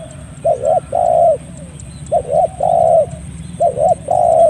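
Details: Spotted dove call for songbird training and luring, clear-voiced: three phrases each of a doubled short coo joined to a longer drawn coo, evenly spaced, over steady background hiss.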